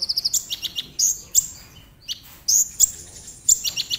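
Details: Tembakan-style burst from a Brown-throated sunbird, meant to spur other sunbirds into song: quick series of high piercing notes, sharp upward-flicked whistles, and brief rapid trills with pauses between.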